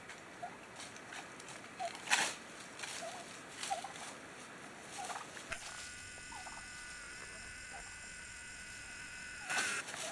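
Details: A wild turkey family in autumn winds in Coronado National Forest gives soft, short clucks and purrs every second or so, mostly faint, over wind noise, sharp knocks and a steady high mechanical whine in the second half.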